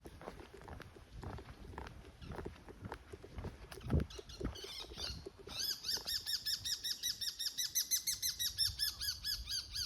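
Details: Bull-headed shrike giving its autumn high-pitched 'takanaki' territorial call near 5:30 a.m. at Showa no Mori, Chiba City, Japan. Rustling and thumps come first, then shrill arched 'kii' notes repeat rapidly, about four a second, for the last four seconds.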